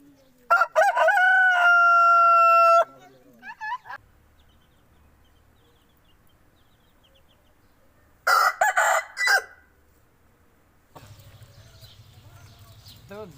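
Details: Aseel rooster crowing twice. The first crow is long, clear and tonal, held steadily for over two seconds. The second, about six seconds later, is a shorter, harsh, choppy crow. A low steady hum follows near the end.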